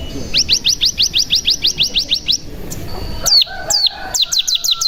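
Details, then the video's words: Mountain tailorbird (cigun) lure song: a fast series of a dozen rising high chips, a brief pause, then sharp downslurred whistles and tumbling notes, meant to provoke other cigun into singing. "Pancingan Cigun Bahan Agar Bunyi Langsung Ngebren"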